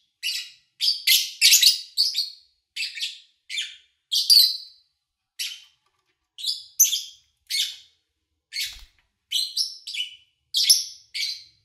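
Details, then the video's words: Lovebirds recorded in August 2019 over three days, morning to evening, with little engine or human noise: short bursts of sharp, high chirps in uneven clusters, several birds calling with brief pauses between. "Sounds of Lovebird Chirping"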